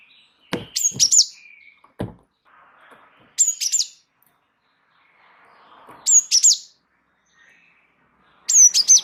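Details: Java sparrow, a gacor bird singing a rolling song for training other birds: bursts of three or four high, sharp chirping notes repeated roughly every two to three seconds, with faint clicks between.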